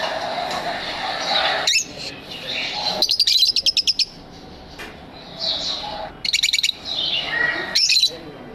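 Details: Pet lovebirds in an aviary chirping, with rapid trains of sharp high twittering notes in bursts of about a second, separated by quieter pauses and soft background noise.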